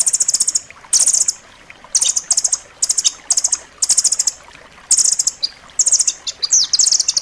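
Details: Rambatan loreng (nuthatch) song used as a master recording for training pet songbirds, described as dense and sharp: rapid high trilled bursts of about half a second, repeated roughly once a second, with quiet gaps between and no other clear sounds.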